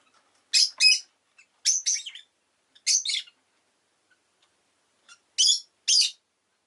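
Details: Rosy-faced lovebird chattering in high, harsh chirps delivered mostly in quick doubles, four bursts over several seconds with a pause before the last pair.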